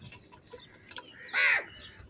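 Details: Angry crow calling very loudly: a single harsh, raspy caw lasting about a quarter second, rising then falling. Faint bird chirps are heard in the background.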